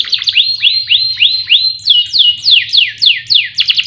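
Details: Canary song played to prompt other birds to sing: a series of arched, rising-then-level whistles repeated about every third of a second, shifting into steeply falling sweeps toward the end.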